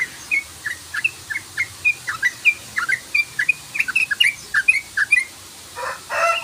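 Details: Yellow-vented bulbul lure song in rapid 'ropel' style: a long run of quick, chattering chirps, rising and falling in pitch, steadily repeated, ending with a short rough, noisy burst.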